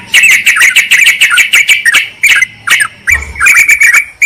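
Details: Yellow-vented bulbul lure recording, a noisy combined track used to draw wild bulbuls in forest or gardens and call a rival: dense bursts of harsh, chattering notes, rapidly repeated, then brief pauses and louder scratchy phrases near the end.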